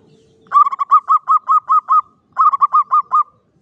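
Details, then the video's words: Local Javanese zebra dove, caged in a classic Mataraman cage, delivers loud, clear klowongan song: an even run of about nine rolling coos, a short break, then about six more in the same steady rhythm. "SUARA PERKUTUT JAWA KLOWONGAN"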